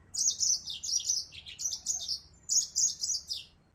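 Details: Yellow-fronted canary, a Mozambique finch from Africa, singing a fast, high twittering song of sweet warbled phrases and trills. There are two bursts with a short pause near the middle.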